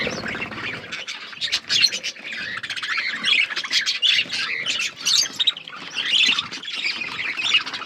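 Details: Budgerigars, with chicks growing, make a continuous stream of harsh squawks, high chirps and buzzy warbles from several birds at once. The chatter surges and dips irregularly throughout, with no quiet gaps.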